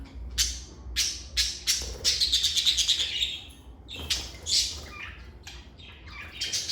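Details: Lovebirds chirping indoors in a calm setting: scattered sharp high chirps, then a rapid run of buzzy notes around the middle, followed by more irregular shrill chirps.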